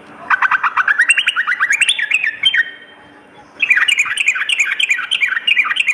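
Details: Sooty-headed bulbul song played as a lure, morning and night: a long stream of rapid rising slurred notes climbing in pitch, a short gap, then another lively burst of bouncing chirps.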